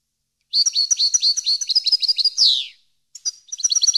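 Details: European goldfinch strophe meant to train caged birds: quick, tinkling twitters end in a harsh, falling buzz; after a short gap a new twittering phrase begins.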